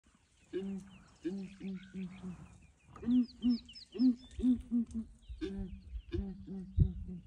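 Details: Several ground hornbills calling in the morning while a breeding herd of elephants comes to investigate: deep, hollow booming notes in rhythmic groups of three to four, two pitches alternating as birds answer one another, faint higher birdsong behind.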